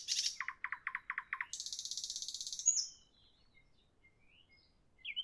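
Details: Evening nightingale delivers a high burst, six quick clipped notes, then an extended, even buzzing rattle over a second long, followed by near silence and a faint final whistle.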